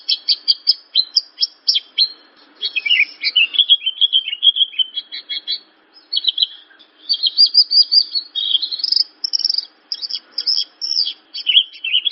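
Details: Javan bush lark's long, varied song: dense bursts of rapid chirps, mixed with warbled slurs and short pauses between phrases. It is used as a prompt to start other larks singing.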